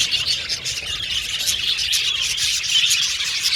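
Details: Caged budgerigars chirping and singing in a group, quick bright tweets layered over a constant high warbling hum of many birds.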